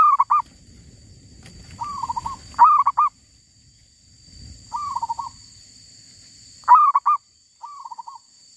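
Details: Wild female zebra dove calling while being lured. Loud, stuttering coo bursts alternate with gentler rippling trills in an irregular rhythm. Faint rustling noises and a constant high hiss are also heard.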